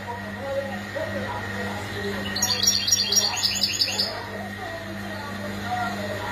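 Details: Goldfinch mating and readiness calls meant to stimulate males out of silence: a single burst of rapid tinkling, chattering notes lasting about two seconds, set against constant electrical hum and faint voices.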